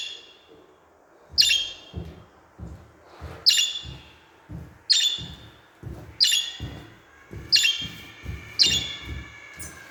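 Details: Budgerigar calls played to encourage budgies to sing and talk: sharp, bright, harmonic chirps repeated about every one to one and a half seconds, each one falling off quickly, over regular low dull thumps.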